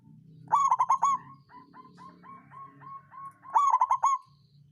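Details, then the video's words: Local zebra dove of the songgo ratu style, used as a lure to raise rivals' breeding drive and coax reluctant birds to sing: two loud bursts of rapid rolling coos about three seconds apart, softer single notes repeated between, low hum underneath. "Perkutut lokal songgo ratu suara pancingan naikan birahi lawan ampuh buat terapi burung malas bunyi"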